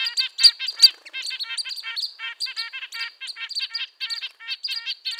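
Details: Rapid, crowded series of short nasal honks from red-breasted nuthatch, roughly two or three notes a second, overlaid by sharp high squeaks, with a couple of louder accented notes near the start.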